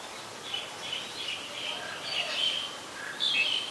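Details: Black-collared Starling at Ubon Ratchathani, Thailand, 26 March 2021, giving a run of chattering, whistled notes in quick succession, some harsh and slurred, ending with a louder squeaky phrase, with faint background noise.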